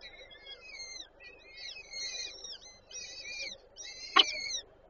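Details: Female peregrine falcon feeding chicks at a nest in Warsaw Żerań, 8 May 2023. Short series of high, slurred squeaky calls in clustered groups, then a sharp tap near the end.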